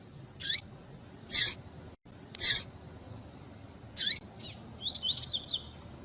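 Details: Double-collared seedeater, tui tui style, mixed with female calls to stimulate males; several spaced harsh chips, one cut by a splice, then a fast phrase of falling whistled notes.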